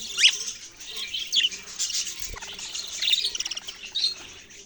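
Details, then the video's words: Budgies chirping and warbling: a sharp rising squeak at the start, then a steady stream of scratchy chatter and quick chirp runs, one brief low thump midway. "parrot sounds and chirping sounds"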